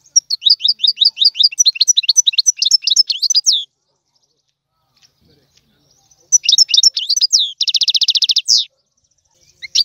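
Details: Goldfinch singing the tiwawati style as a tutor song: quick high twittering notes in a run of nearly three seconds, then a pause and a second burst ending in a dense buzzy trill and a downslurred note.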